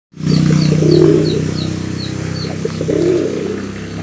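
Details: A domestic pigeon, presented as calling to a female, gives deep, throaty, swelling coos about two seconds apart over a steady low hum, with faint high ticking repeated in the background.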